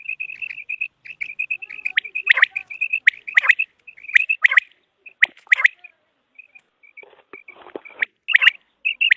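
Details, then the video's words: Common quail producing a long string of even pips, broken by sharp sweeping notes and a brief rustling, hissy passage. "Common Quail Sound | For Quail Birds Hunting | Batair Ky Shikar ky Liye Batair Ki Awaz"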